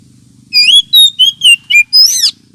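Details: Oriental magpie-robin lure call, also used as therapy for birds lacking aggression: six loud, clear whistled notes in quick succession, some sliding and slurred, ending in a rougher, warbled rising-falling phrase over a faint low hum.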